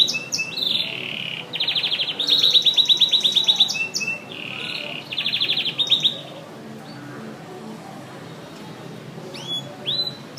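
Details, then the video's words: A canary in very intense song gives bursts of fast, buzzy trills and rapid high rattles, separated by short whistled notes and pauses, over a steady low background hum. "Canary ( chim hoàng yến hót cực căng)"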